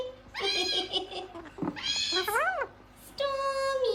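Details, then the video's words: Talking gang-gang cockatoo producing a run of harmonic, voice-like phrases: a steady tone, a wavering note, then rising-and-falling arched syllables and a final level held tone, in a small quiet room. "Talking gang gang cockatoo"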